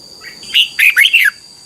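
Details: Single phrase from a red-whiskered bulbul tutor song, Thailand, played so young birds learn it. A soft lead-in note, then four quick, rich warbled notes rising and falling, over a steady thin electronic tone.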